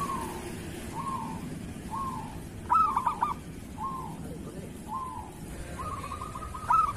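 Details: Kerot song from a local zebra dove used to teach caged doves: short soft cooing phrases repeat about once a second, broken by two louder bursts of rapid staccato notes.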